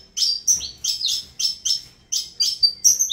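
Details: Saffron finch, Avalanche lineage, producing a quick rhythmic string of bright high chirps and downslurred whistles, evenly paced bursts about every third of a second.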